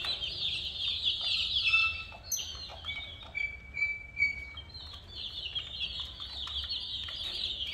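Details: Colourful chicks chirping, a busy chorus of high peeps at the start and end, interrupted midway by a few longer thin whistled tones and a low hum.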